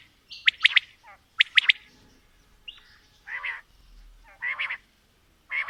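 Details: Quail calling, with female and male sounds mixed. It opens with a few clusters of sharp, clipped notes. Then come longer, rougher buzzy bursts about every second or so, separated by quiet gaps.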